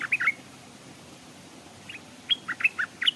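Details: Stripe-throated bulbul set as a decoy at a streamside, with wild birds arriving but not settling. Brief chirps open the sequence, followed after a quiet gap by a brisk series of bright, squeaky whistled notes.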